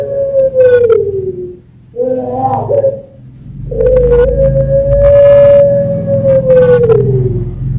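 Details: Puter pelung, a prize-winning long-voiced Barbary dove from a Sragen, Central Java bird farm, singing as a tutor and stimulus for other doves: a sliding coo, a short gurgling phrase, then a very long level whistled note over low background hum.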